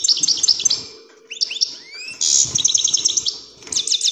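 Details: European greenfinch in strong song, used to stimulate other birds to sing and mate: quick chirps, a few upward-swept whistles, then a rich buzzy trill and more twittering.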